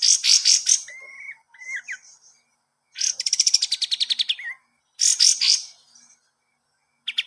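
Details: Kapas tembak song used as training material for cage birds: harsh rasping bursts, short flat whistles and a rapid rising trill, with brief gaps between phrases.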